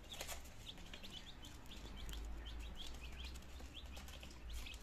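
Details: Two-day-old chicken chicks, nineteen in all, indoors in Germany in September 2022 as they begin to eat and drink; scattered thin high cheeps, a few at a time, with a low background rumble.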